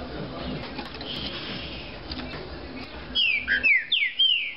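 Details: After several seconds of faint room noise, a caged green-winged saltator bursts into a fast phrase of about four strong whistled notes, each slurring down in pitch.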